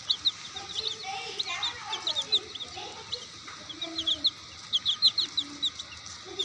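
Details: Chicks give a steady stream of shrill, high peeps in short bursts, many birds calling at once. Soft lower clucks sound now and then beneath them.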